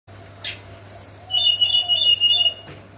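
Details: Hill blue flycatcher, known locally as tledekan, singing in the morning in the flute-like 'nyuling' style: a few clear, high, level whistles, then longer sustained whistled notes lower down, over a faint steady hum.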